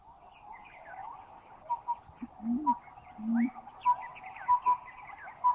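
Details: Collared Owlet in a Thai national park (Khao Yai, Doi Inthanon, Doi Suthep-Pui or Chae Son), giving short, mellow piping hoots in a loose paired rhythm, over a steady insect-like hum, with low cooing notes and other birds' chirps.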